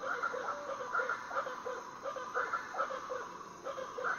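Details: Variable chachalacas calling before dawn on Foengoe Island, Suriname: a distant chorus of mid-pitched, harsh, harmonic calls in irregular overlapping bursts, with a faint steady hiss.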